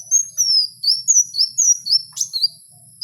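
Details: Wild kowul delivering a steady string of about eight high, thin, downslurred whistles, each lasting a fraction of a second, with one sharp click partway through.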